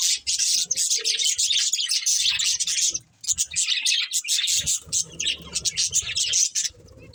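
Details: A budgerigar breeding pair's loud, dense chirruping chatter fills most of the clip, broken by a short silence around three seconds.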